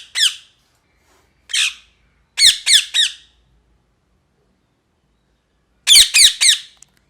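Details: Indoor parrot letting out harsh screeches: isolated single squawks, then a trio of grating calls, a pause, and another quick triple burst of raspy notes.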